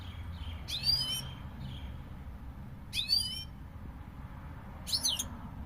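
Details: European goldfinch giving sharp, chattering bursts of sweeping notes about every two seconds, with faint softer notes between them and a low steady background hum.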